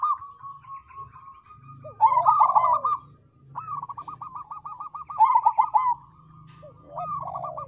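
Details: Crossbred zebra dove (perkutut krosing) song used as a lure to make other birds sing: mid-pitched rolling coos broken into quick beaded pulses, in phrases about every three seconds, with overlapping voices and a low steady hum beneath.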